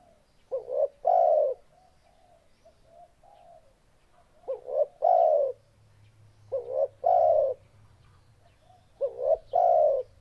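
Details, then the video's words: Four repeated phrases of a spotted dove, each two brief upslurred notes and a longer mellow coo, with soft faint coos between them. "Suara Burung Tekukur"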